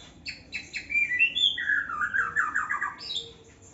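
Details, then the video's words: Song of a young white-rumped shama kept in an aviary in Indonesia. A few short sharp notes lead into sliding whistles, then a fast warbling trill that drops lower and speeds up, ending with one high whistled note. "murai muda aviary"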